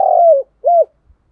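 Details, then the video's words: Spotted dove used as a decoy bird, calling to lure wild doves: a loud, low, mellow coo that slides slightly downward, followed after a short gap by a second, shorter arched coo, with a quiet background. "tiếng chim cu gáy gọi mồi và bổi"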